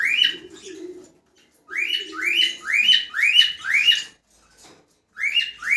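A cockatiel gives bright, rising-then-falling whistled calls in quick bursts, about two per second, as a mating call.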